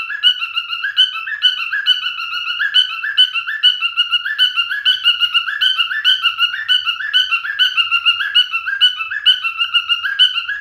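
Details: Male cockatiel parrot sings a long, regular warble, with a nasal, whistled phrase looping over and over, rising and dipping in pitch about twice a second, with nothing else audible.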